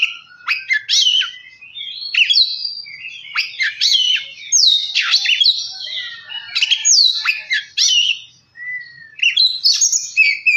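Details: Oriental magpie-robin song used to provoke another bird into singing: varied loud whistled phrases, sharp downslurred notes and buzzy scratchy bursts in irregular clusters, with brief pauses between phrases.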